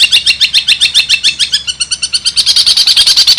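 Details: Long-tailed shrike training song with mimicked kuntilanak and sparrow sounds and ngekek tembakan rattles: a rapid series of sharp, high chirps at about seven per second that grow slightly faster and stronger.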